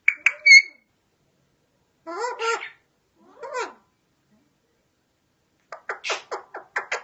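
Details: Pet parrot producing a sharp whistle, two nasal harmonic voice-like phrases, then a rapid run of clicking, chattering notes.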